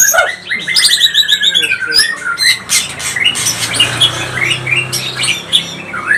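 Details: White-rumped shama song used to provoke other shamas; a fast stuttering trill of repeated notes, then mixed whistles and chatter over a low hum.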